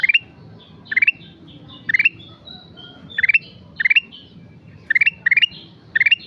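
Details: Ruby-throated bulbul singing vigorously, delivering crisp four-note ascending phrases roughly every second, with softer thin notes between the phrases, in otherwise quiet surroundings.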